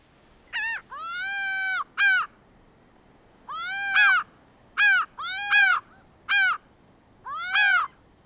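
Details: Laughing gull (Leucophaeus atricilla) giving about seven nasal, arched calls in eight seconds, one drawn out and the rest short and sharp, over quiet background hiss.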